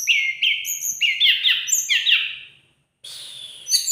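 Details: Lark in energetic song, delivering a rapid run of sharp, high, slightly descending whistled notes in quick succession, a brief silence, then a renewed burst of shrill notes.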